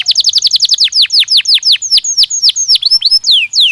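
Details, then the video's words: Belgian canary singing to prompt a trainee bird to respond: loud, clear falling whistles in quick succession, spacing out into slower, broader sweeps, some notes upturned at the end. "Som de estímulo que faz o canário belga responder imediatamente ao treino"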